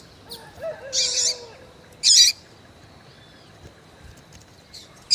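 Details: Female double-collared seedeater calling to stimulate a male: two loud, high, buzzy chirps about a second apart, with faint lower whistled tones early on and a final chirp cut off at the end.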